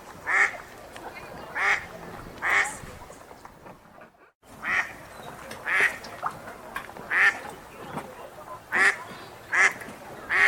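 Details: Wild ducks at a lake give short, harsh, nasal quacks, roughly one per second, broken by a brief silence midway, over a soft background hiss.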